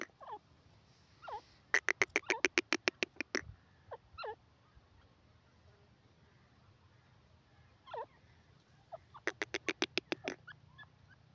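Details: Female grey francolin voice used as a lure for catching francolins: short curved, looping whistled notes scattered between two rapid bursts of about ten sharp, clicking notes each, over a steady low background hum.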